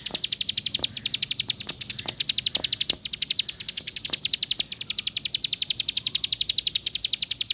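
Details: A plain prinia delivers a long, unbroken trill of sharp, high, buzzy notes repeated rapidly at an even pace, with scattered faint knocks and ticks in the background.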